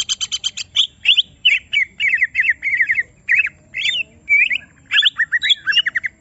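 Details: Greater green leafbird held in a cage and provoked to reveal its full song: opening harsh stuttering notes, then a busy sequence of twisting whistles and squawky chattering phrases.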